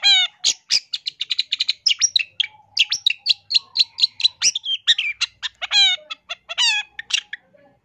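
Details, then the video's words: Long-tailed shrike song used to train caged birds and lure wild ones, packed with mimicked phrases: a dense, unbroken stream of sharp chips, rattling trills and scratchy notes, with a few whistled slurs and ringing harmonic calls near the end. "MASTERAN CENDET GACOR FULL ISIAN ISTIMEWA COCOK BUAT PIKAT"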